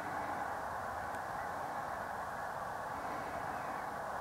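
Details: Estimated 125,000 snow geese massed on Pungo Lake, Eastern North Carolina, on January 5, 2011, recorded with a Canon 7D; a dense, unbroken roar of overlapping honking calls fills the whole stretch.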